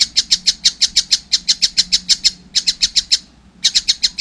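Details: Young collared kingfisher repeats loud, grating high notes at about three per second, broken by two short gaps.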